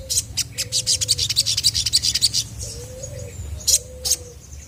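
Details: Chestnut-backed scimitar babbler singing strongly to provoke answers from other birds: low, even whistled hoots, some slightly rising, under a fast, rattling run of high chirps from another bird, then scattered sharp tweets.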